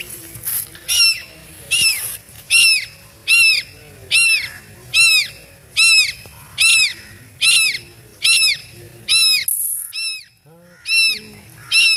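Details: Scared duckling crying loudly: shrill, arched peeps with a rise and fall, repeated steadily about once every 0.75 seconds, with faint low background noise.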